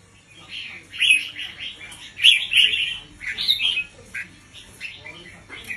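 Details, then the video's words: Red-whiskered bulbul teacher bird singing a slow doubled 'bern' song with clear pauses, used to teach chicks; a chain of liquid, chortling phrases rising and falling over several seconds, with faint background hum. "สุดยอดนกครูเบิ้ลเพลง 3 อาชีพ เบิ้ลช้าๆ เบิ้ลเว้นช่องไฟชัดเจน เปิดสอนลูกนก ยั้วนกฟังนกคึก"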